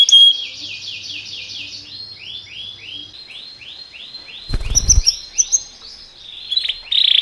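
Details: Canary song used to train canaries, timbrado style: a soft run of repeated arched whistled notes with a brief thump midway and a louder steady whistle at the end.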